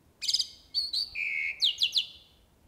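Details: Jalak uret starling in active fill-in song. A raspy buzz leads into high whistles and a steady lower whistle, then four quick descending whistled slurs.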